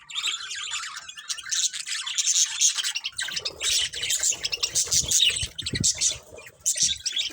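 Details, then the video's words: Budgies chattering almost nonstop, a dense buzzy warble of high scratchy chirps, joined midway by lower rustling and clicking noises. "Cute Budgies Chirping Sounds"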